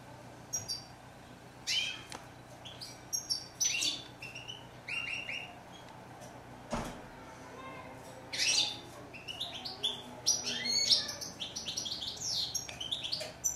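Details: European goldfinch delivering scattered bursts of sharp, tinkling notes and short upward slurs over more than ten seconds, with quiet gaps between phrases and a faint thump midway.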